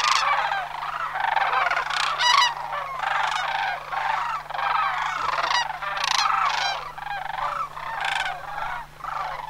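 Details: Migrating sandhill cranes at Homer, September 2009, calling as a flock: bursts of rattling, trilled bugles rise and fall in waves, many birds overlapping, with brief lulls between surges.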